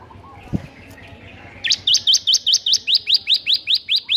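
A Bar-winged prinia gives a fast, even run of about fourteen high, bright, upward-flicked notes, roughly five a second, after a soft thump.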